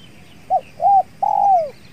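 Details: Spotted doves cooing during a trapping session with a decoy, an aggressive wild dove nearby: three low coos, short, medium and a long falling one, over faint insect hum.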